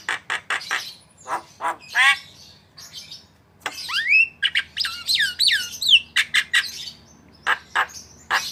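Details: Asian pied starling (jalak kebo) gacor song for training cage birds: harsh chattering notes mixed with swooping rising and falling whistles and a burst of loops, then more rasping chatter.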